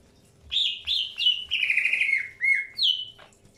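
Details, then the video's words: Greater green leafbird in early pairing, giving quick slurred whistles that run together into a falling warble, followed by two separate higher whistled notes. "PROSES PENJODOHAN AWAL BURUNG CUCAK HIJAU"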